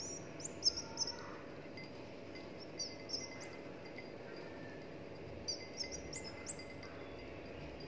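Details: A 17-day-old albino red-whiskered bulbul chick, hand-raised since hatching, gives thin, high chirps in quick clusters of three or four, a couple of seconds apart, over a steady background hiss.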